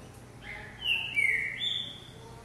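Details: Green-winged saltator (trinca-ferro) kept in a cage, hopping on a perch in a vigor workout for legs, grip, wings and lungs; loud whistled phrases, a steady note followed by a falling slur, over faint background hiss.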